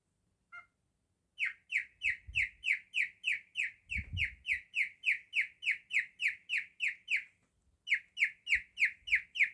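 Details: Male cockatiel mimicking canary song with a long, regular run of short, falling whistled notes at about three per second. A short gap comes near the end, and a few soft low thumps are heard.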